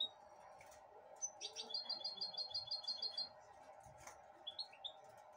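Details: A pet goldfinch hybrid eating broccoli from a hand in 2022 gives a quick run of about ten thin, high twittering notes, then a few sharp chirps, over a steady low hum.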